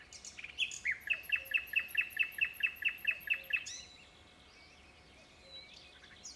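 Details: Common nightingale singing: a few scratchy opening notes, then a fast run of about thirteen identical sharp notes repeated evenly for nearly three seconds, ending abruptly in quiet.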